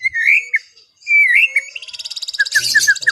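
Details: White-rumped shama singing in a relaxed afternoon session, meant for calming an overexcited bird: clear whistled phrases near mid pitch, a pause, more slurred whistles, then a fast series of high rattling notes with short dropping chips.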